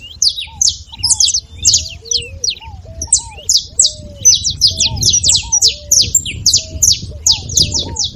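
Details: Saffron finch singing a beautiful song meant to spur a quiet canary into song: rapid sharp high chips in quick bursts, with soft low whistled slurs underneath and a faint low background rumble.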